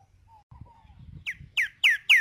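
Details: Green-winged saltator, tempera viola song, in nature: faint soft low whistles with background chatter, then three loud sharply falling whistled notes.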